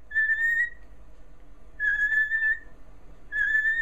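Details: A pet cockatiel answering questions with peeps (three for yes, two for no) gives three drawn-out, steady, clear whistled peeps of even pitch, each over half a second, about every second and a half.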